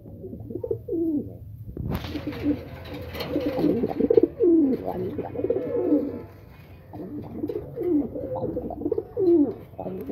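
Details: Several pigeons in a Bangladeshi loft during feeding. A steady stream of low, bubbling, wavering coos overlaps throughout. A sudden bang early on is followed by rustling and pecking sounds.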